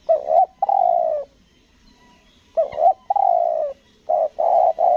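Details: Lure spotted dove on Lombok in 'selang nguku gagap' song style, giving repeated low coos: a short broken double note, then a long falling coo, phrases following about every one and a half seconds.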